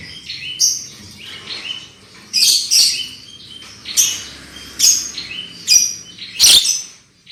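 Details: Lure song of a black-winged myna, meant to get birds singing loudly: soft whistles lead into a string of sharp, grating squawks spaced roughly a second apart, each with a bright whistled edge.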